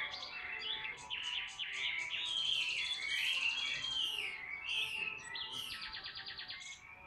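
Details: Caged Chinese hwamei, large and tame, noted for singing a lot: a long rich run of slurred whistles mixed with short pulsed trills, rising in volume midway, then ending on a buzzy rattle.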